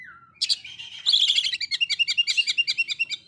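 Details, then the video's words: Oriental magpie-robin singing to provoke a rival. A falling whistle leads into a brisk burst of bright notes, then a steady, rapid train of short chirps, about six per second. "KACER SANGAT MEMBAGONGKAN LAWAN"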